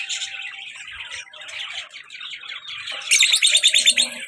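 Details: Pet lovebird pair, a colour-mutation male and a black-masked female, calling together: dense, overlapping high chirps and scratchy chatter that grows louder and busier in the last second.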